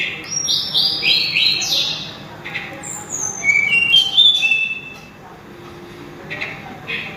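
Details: Sulingan, or tledekan gunung, opens with a fast run of descending high whistles, then gives scattered single whistled notes and quieter pauses.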